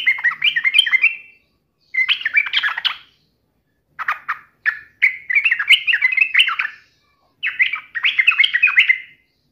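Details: Yellow-vented bulbul singing to taunt a rival and draw an angry answer: four bubbly, warbling phrases of quick up-and-down notes separated by short silences.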